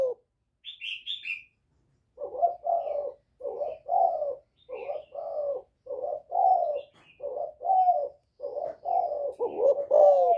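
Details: Spotted dove singing in the 'giọng thổ' voice style, calling to provoke wild rival males. Brief high chirps come first, then a long run of low, mellow coo notes in paired and grouped bursts at a steady pace. Faint small-bird chirps sound in the background.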